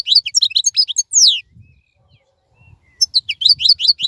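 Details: European goldfinch singing energetically while others are silent in molt: quick high chirping twitters ending in a drawn-out falling buzzy note, a pause with faint rumbles, then another burst of tinkling chirps.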